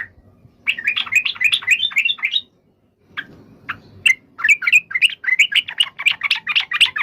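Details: Chattering song of a yellow-vented bulbul, a quick warbled burst, a pause with a few scattered notes, then a long lively run of sharp chirps.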